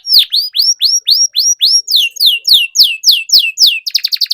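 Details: Strongly singing canary used as a lure for quiet birds: a steady series of loud, clear whistled notes sliding downward, roughly three per second, then a short fast rattle at the end.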